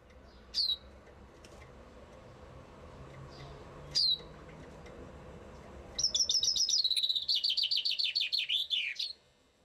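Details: Common chaffinch singing somewhere in Bucharest, Romania: a few sharp high call notes, then a fast descending trill of bright repeated notes ending in a short flourish.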